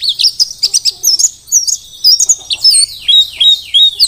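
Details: Mountain white-eye of the Merapi Dakun type, wild-caught, singing energetically as a master song for tutoring other birds: fast, high twittering with sharp chirps, then a run of down-slurred whistled notes near the end.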